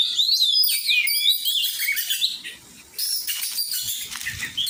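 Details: Oriental magpie-robin in song training, delivering rapid whistled and chattering phrases with sliding notes, then bursts of harsher, noisier notes after a short dip in loudness.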